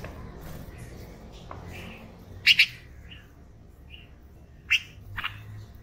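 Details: Red-vented bulbul giving scattered sharp double chirps several seconds apart, with softer notes between them over low background noise.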